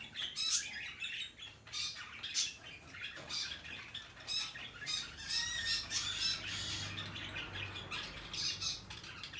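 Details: Hand-tame peach-faced lovebird, recorded 21 March 2020, giving shrill, harsh squawks and chirps in quick irregular bursts throughout, some notes sharply rising, with brief pauses between clusters and a faint low hum underneath.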